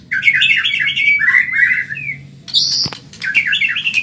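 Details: White-rumped shama of the Medan type, caged, giving a quick rich warble of wavering whistles, then a sharp high note and a brisk chattering phrase.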